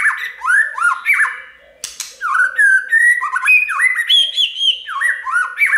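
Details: White-rumped shama song used to prompt birds: quick arched whistled notes in fast series, a short pause with a click, then more looping whistles rising in pitch.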